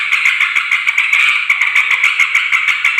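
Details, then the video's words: Noisy, chattering yellow-vented bulbul calls used to lure wild bulbuls, both females and males: a dense, harsh, continuous chatter broken by quick clicking notes throughout. "suara trucukan ribut || ngoceh memanggil terucuk liar"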